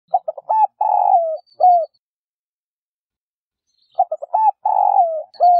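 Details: Female spotted dove cooing to stir males into calling: two low, mellow phrases, each a quick stutter of short hoots, then a long drawn note sliding downward and a final short coo, with a clean, quiet background.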